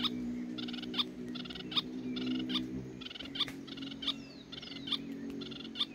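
A pair of Spix's spinetails trade harsh, buzzy, stuttering phrases about once a second, each a quick rattle of clipped notes over a steady low hum.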